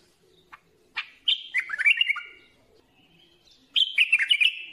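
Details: Bulbul singing: a short tick note, then a bright burst of rich, fluty, warbled notes sliding between mid and high pitch, falling away, followed after a pause by a second similar chattering, tumbling phrase.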